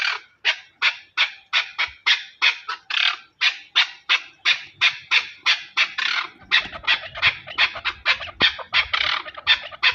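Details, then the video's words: Chukar partridge from Pakistan giving a long run of harsh, rhythmic clucking notes, about three per second, steady and loud throughout, with faint low rumbling in the background toward the end. "Chakor | chakor ki awaz"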